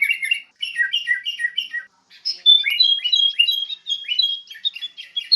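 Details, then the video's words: Masteran lure of a sooty-headed bulbul for training songbirds: rapid groups of falling chirps, a short pause, then a dense, continuous chatter of high whistles and squeaky notes. "PIKAT SUARA BURUNG KUTILANG (MASTERAN)"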